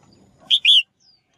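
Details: Female bird call meant to encourage males to sing: one loud, clear two-part phrase, a short bright note then a longer slightly descending warble, preceded by faint low noise.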